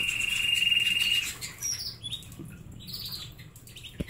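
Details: Pet canaries with egg and fruit sticks and honey treats: a long level ringing trill for about a second, then softer twittering phrases and upswept chirps, ending with a light tap.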